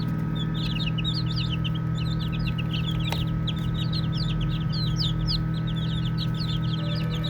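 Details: Baby chickens chirping during play: rapid high peeps sliding upward and down, many birds overlapping, with one sharp tap midway and a persistent low hum behind.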